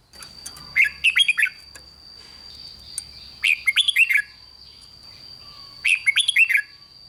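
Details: Red-whiskered bulbul song used to excite other bulbuls: three bursts of loud, rich warbled notes, each a quick run of four or five sliding whistles, spaced a few seconds apart, with a steady high electrical whine beneath.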